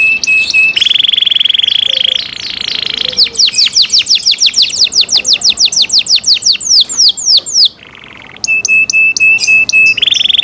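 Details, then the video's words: Canary in cenkok-style song. Buzzy sustained tones give way to a long series of rapid, downward-sweeping repeated notes, broken by a brief lower rattle. Crisp clipped trills and a steady high whistle come back at the close. "CENKOK CANARI SOUND, CLEAR SOUND"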